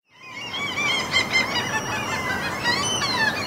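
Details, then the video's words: Seagulls at a Norwegian fjord among mountains, a continuous blur of overlapping wavering, harmonic cries from many birds that swells in after a brief silent start. "NORWAY SEAGULLS FJORD AMBIENT SOUNDS MOUNTAINS"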